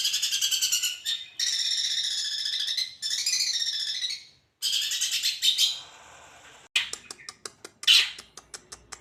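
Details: Long-tailed shrike song used as a training master: loud, harsh, buzzy chattering phrases broken by short pauses, followed by a rapid series of sharp clicking notes.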